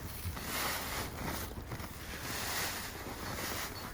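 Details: Steady wind and water noise with a low rumble and broad hiss throughout, no animal calls standing out.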